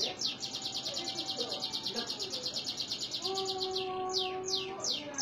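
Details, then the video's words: Canary song recorded in Indonesia: a very fast, buzzy high trill runs for about three seconds, then gives way to a few slower, downward-sliding notes over faint steady low tones. "CANARY SINGING - serinus canarina"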